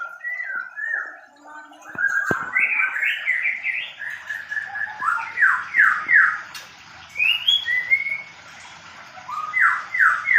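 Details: White-rumped shama, Medan type, during pairing in a mini aviary, pouring out a long varied song of stacked downslurred whistles and rapid sweeping notes, a loud run of three sweeps midway, another phrase ending the passage.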